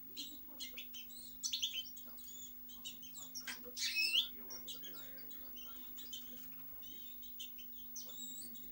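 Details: Goldfinch giving sparse high chirps and twitters, with one louder slurred whistled note mid-way, over a steady low hum.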